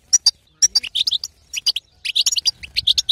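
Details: Female European goldfinch twittering to provoke a male into song; quick bright chirps in uneven bursts, with a half-second silence after the opening notes and a dense run near the end.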